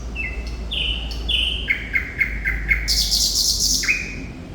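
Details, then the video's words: Thrush nightingale song: a series of clear whistled notes falling in pitch, a quick run of repeated short pulses, then a loud harsh rasping burst and a final sliding whistle. "Sikatan Londo Thrush Nightingale Gacor"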